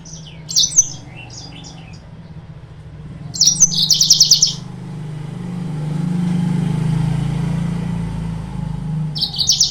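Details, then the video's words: Yellow-fronted canary song used as a lure to provoke rival birds: short bursts of high chirps and rapid buzzy trills separated by pauses, over steady low hum and passing vehicle noise. "PANCINGAN/MASTERAN BURUNG MOZAMBIK"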